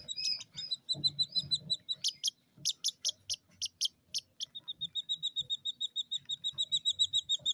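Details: Captive Jungle Bush Quail chicks two days old, three in number, kept in the UK; high peeps and a few downslurred chirps, a burst of sharp clipped notes, then rapid evenly spaced peeping with faint low murmurs.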